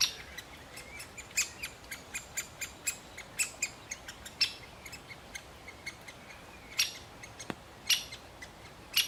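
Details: Male great spotted woodpecker at a chick it is feeding, giving loud, sharp, high ticking notes at a steady brisk pace, roughly two a second, with softer clicks between.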